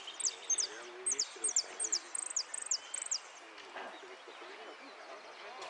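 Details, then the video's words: A goldfinch competing in the 'repique' category at Lanús sings about a dozen quick, high, downward-swept notes in clusters over three seconds, then goes quiet while low human chatter continues. "Amarillo de Repique Concurso Lanus"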